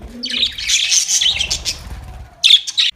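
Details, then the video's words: Budgies chirping during a fight, recorded October 25, 2023: dense, scratchy high chatter and quick squeaky notes, a pause, then a final burst of sharp chirps near the end. "Budgies chirping sounds | Budgies fight"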